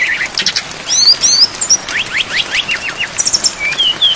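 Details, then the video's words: Brown-chested jungle flycatcher, training song full of filler phrases with rain: high tweets and upslurred whistles, then a series of quick rising notes and thin descending whistles. "MASTERAN SRDC FULL ISIAN DAN AIR HUJAN DURASI PANJANG"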